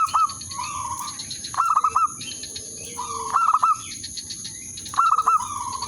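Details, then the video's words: Lure zebra dove calling to draw a rival and rouse it into breeding song. Four bursts of rapid, stuttering coos, each followed by a rolling purr, spaced about every one and a half seconds. A constant thin high-pitched hum sits behind. "burung perkutut/merbok pikat memanggil lawan bikin birahi gacor manggung"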